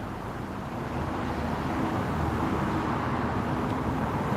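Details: Continuous broadband roadway noise from vehicles outdoors, steady throughout, with no animal calls.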